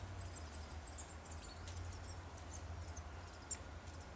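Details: A varied tit close by in Japan gives very high, thin "chi-chi-chi" call notes in quick irregular runs while moving leaves to find sunflower seeds, over a steady low background rumble.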